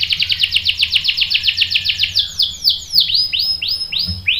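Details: Canary singing, recorded as a female's call is used to provoke a male into song; a rapid series of bright, high, down-slurred chirps repeated about four times a second, slowing into longer separated whistled notes near the end.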